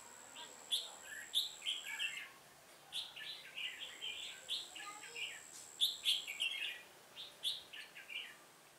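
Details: Red-whiskered bulbul singing during trapping on 1 October 2018. Energetic bursts of bright, clipped whistles and gurgling warbles repeat in quick phrases with short gaps, over an intermittent thin high-pitched tone.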